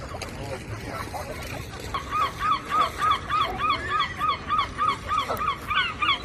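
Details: Flying seagulls by the ocean: one bird launches a fast, regular run of short, arched yelping notes, about three per second, with other gulls calling faintly behind and constant surf noise underneath.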